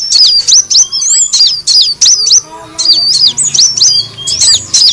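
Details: On a lure recording to attract birds, a kolibri wulung sunbird gives sharp, high chirps in clusters roughly every second, with brief gaps and a faint low hum.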